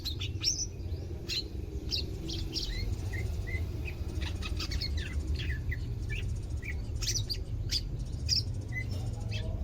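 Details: Caged greater green leafbird kept as a pet in Indonesia, second day of care and starting to sing: scattered sharp chirps and short whistled slurs, some rising, over steady low rumble.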